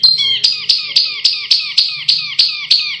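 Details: Recording used as masteran to train contest birds, tagged canary: a fast steady series of identical high downward-sweeping notes, about four per second, each with a sharp onset, ringing and slightly metallic.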